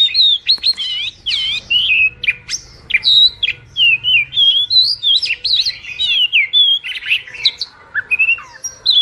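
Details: White wagtail song: a lively, continuous run of high, thin chirps and twittering notes with quick rising and falling slurs, delivered in short bursts with brief pauses between phrases; no other sounds stand out.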